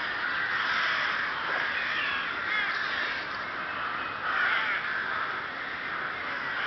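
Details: Rooks at their colony in Chrudim's Ptačí ostrovy nature monument, Czech Republic, 30 May 2011: layered rough caws from numerous birds, rising to louder bursts around the middle and later part.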